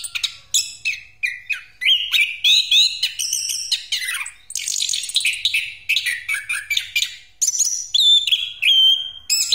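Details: Orange-headed thrush pouring out 'ngeroll' song for luring other birds: quick repeated chips, then a long run of whistles, rattling trills and sliding notes, ending in clear drawn-out whistles.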